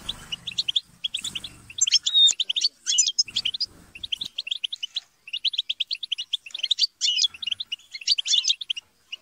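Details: Several caged goldfinches chattering and squabbling, intended to get a goldfinch singing; fast repeated tinkling chirps and twittered phrases with a few whistled notes, some low handling noise early on.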